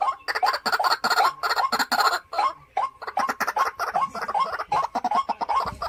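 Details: White-breasted waterhen, a caged decoy bird kept at home, aged three to four years: loud, rapid harsh clucking notes repeated in a steady run, with a bright ringing quality and short pauses between bursts.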